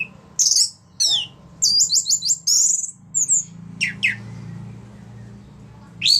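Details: Orange-headed thrush in ngeplong song, used to coax other thrushes into singing. Irregular high chips and warbled phrases come in the first half, then a few sweeping notes over a low background rumble.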